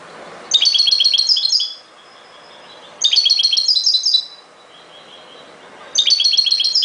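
A European goldfinch sings bright, tinkling bursts of rapid twittering notes, each phrase about a second long and repeated every two to three seconds.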